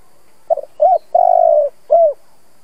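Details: Spotted dove, an old decoy bird used to stir other doves to coo, gives one phrase: a short stuttered note, a brief coo, a long rolling purred coo, then a final falling coo. Low, mellow and clean, with no other sounds.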